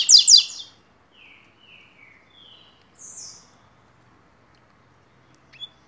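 A double-collared seedeater opens with two loud, buzzy notes, then gives a run of short, falling whistles and one high slurred note before a final faint chip.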